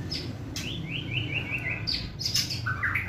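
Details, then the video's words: White-rumped shama giving a fierce crackling 'kretekan' song, used to provoke emotion and speed up open singing: a quick run of short rising notes, sharp clicks and high thin whistles, then lower warbled phrases over a steady low rumble. "Kretekan Gahar MURAI BATU GACOR ini untuk memancing Emosi dan mempercepat Ngeplong"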